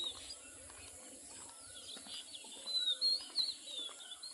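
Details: Rural Bengal village birds on a summer morning: faint high chirps at first, then a cluster of sharp, bright twittered notes in the second half, against a constant background hiss.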